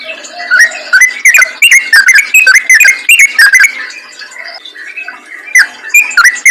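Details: Yellow-vented bulbul song used to lure other bulbuls, a dense burst of rapid warbled whistles for four seconds, then a quieter lull before the bubbling phrases resume near the end.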